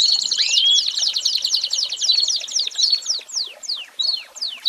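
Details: An American Singer canary sings rapid trilled notes that break into separate slurred, downward-and-upward strokes toward the end, the rhythm loosening as it closes.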